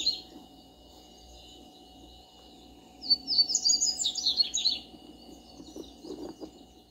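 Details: Backyard double-collared seedeater delivering a quick warbling song of sharp, high, slurred notes tumbling together for about two seconds, preceded and followed by quiet background with a faint steady hum.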